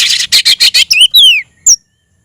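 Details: Oriental magpie-robin calling a rival to fight: four harsh buzzy rasps in quick succession, then two clear whistles slurring downward and a short high sharp note.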